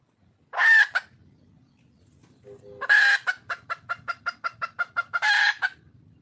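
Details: A red junglefowl hen calls for a male. She gives a harsh, loud, broadband squawk. After a pause, a second squawk runs into a quick series of about ten sharp clucks, then ends in another rasping burst. Faint low background hum.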